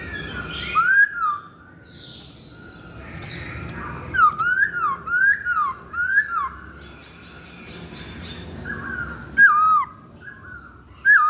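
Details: Masked laughingthrush lure recording: a series of rich whistled notes, each dipping then rising, repeated about once a second in bursts with quiet gaps between, plus faint high chirps.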